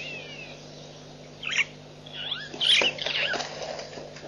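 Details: White-backed vulture at Nkorho Pan on 24 September 2007, giving harsh, rasping squeals: one brief burst, then a longer chattering cluster a second later, over a low steady hum.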